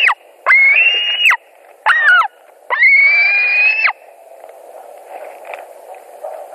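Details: White-tailed eagles at a nest in Latvia, 17 July 2020 around 22:00, during a fish delivery as two adults compete for the fish. Three loud, drawn-out, slightly rising whistled cries, each lasting up to a second, over steady low background noise.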